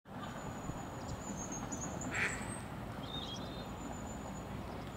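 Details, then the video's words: A duck moving fast gives a single short, harsh quack midway through, over steady low rumbling noise and a thin high whine. "Quacking duck"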